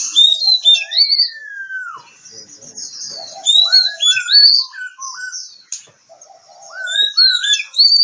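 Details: Oriental magpie-robin (kacer) from Kebumen, Central Java, delivering a varied whistled song: high rising slurs, a long descending whistle, lower downslurred notes and short buzzy phrases, in several bursts with pauses.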